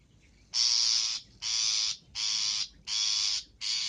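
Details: Long-tailed shrike luring call: long, harsh, rasping notes, each about half a second, repeated steadily five times with short pauses.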